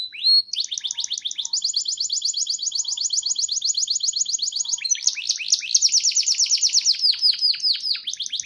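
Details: Canary kept in a collection in Pemalang, Central Java, pouring out a long unbroken high trill of rapid uniform notes that shifts midway into louder, more varied sweeping phrases.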